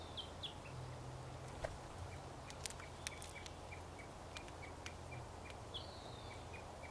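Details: Crossbills feeding outdoors among other singing birds: a steady series of short, clipped chip notes about every third of a second, a few higher slurred calls, sharp cracking clicks, and a low background hum.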